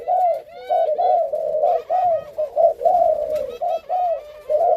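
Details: Spotted dove from a newly paired breeding couple, coo-calling while moving, indoors: continuous low, throaty cooing notes run together in rolling, slightly falling phrases with hardly any pauses, plus faint higher chirps at the start.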